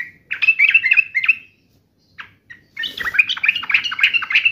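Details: Sooty-headed bulbul in angry fighting mode: a quick warbling phrase, two isolated chips, then a long dense outburst of excited twittering notes.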